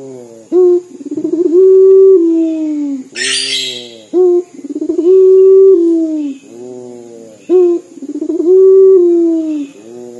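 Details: Local puter dove singing in dor style, a voice likened to weeping, repeated three times in ten seconds: a clipped opening note, a rolling stutter, then a sustained falling coo. A soft hum fills each gap, with one burst of rustling noise.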